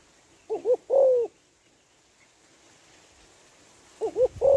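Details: Female spotted dove calling to stimulate males: two short coos, then a longer drawn-out coo that slides slightly downward. The phrase repeats about three and a half seconds later, with quiet background between.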